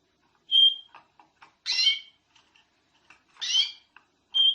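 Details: Canary singing on a master recording made to train other canaries: short pure whistled notes at a steady pitch alternate with harsh buzzy bursts, separated by brief pauses and faint soft ticks.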